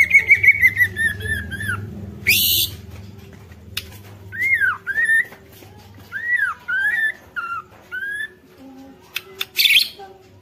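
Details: Song of a white-rumped shama meant to provoke rival shamas, beginning with a descending series of whistled notes, followed by spaced arched whistles and two short harsh bursts, a faint hum underneath.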